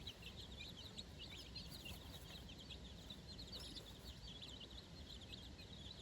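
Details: Many four-day-old chicks on fresh grass with their mother for the first time, peeping continuously in quick high overlapping chirps, each briefly falling in pitch, over constant low rumble.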